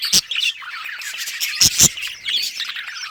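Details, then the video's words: Colourful budgerigars chirping while at play in a colony, August 2023: brief burst of high twittering and squeaky notes, with a few loud clicks. "budgies beautiful colors playing and chirping sounds for lonely birds"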